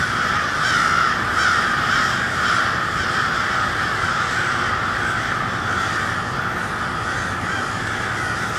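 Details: Crows gathered at cold twilight in Kansas City's Westport, cawing noisily; a few distinct hoarse caws near the start rise over a constant chorus of overlapping calls that softens slightly toward the end.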